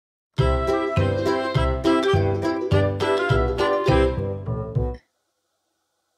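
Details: A tinkling music-box lullaby plays in a repeated melody for about five seconds, then stops into silence, with no animal voice.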